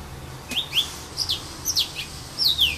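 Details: High, thin whistled notes, some rising and some falling, come in short spaced bursts from a yellow-fronted canary (serin pays) singing in casuarinas at Saint-Philippe on Réunion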